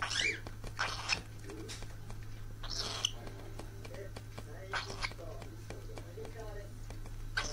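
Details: Cockatiel regressing to baby-like behaviour gives raspy, hissing begging calls in short bursts every second or two, over a steady low hum and light clicking in a room.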